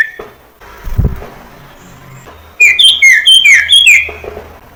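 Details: Sirtu cipoh, the common iora, as a training lure for young birds. A low thud and quiet gap precede a brisk burst of sharp, high, downward-slurred chirps lasting about one and a half seconds.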